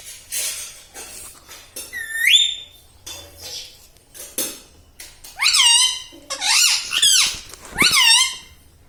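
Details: A talking pet ring-necked parrot, said to repeat mummy, papa and radhe radhe. It gives a run of loud, nasal, harmonic calls that swoop up and down, repeated roughly every second in the latter half, voice-like in tone.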